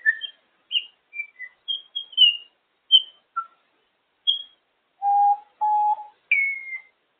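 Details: A female African grey parrot talking on top of her cage gives a quick run of short, clear whistles at varied pitches, then a few longer, lower voice-like notes and a falling whistle.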